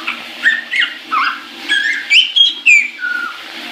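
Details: Happily singing caique in the shower, giving several short whistled slides and squeaks in quick succession over running water.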